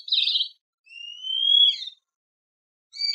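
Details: Great kiskadee giving a harsh, raspy note, then a long, thin, rising whistle ending in a buzzy twist, and another short, scratchy note after a pause; no other sounds.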